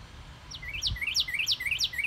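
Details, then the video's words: Northern cardinal in a yard, March 29, 2019, giving loud, clear whistled notes that rise and then plunge, repeated about three times a second; a soft low thud partway through. "Our Yard Cardinal Sings"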